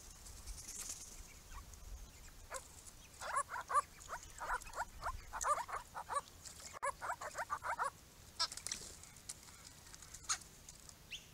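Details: Small group of Grey-crowned Babblers coming to a purpose-built pond, with bursts of fast, rhythmic chatter notes in the middle seconds and quieter scattered calls before and after.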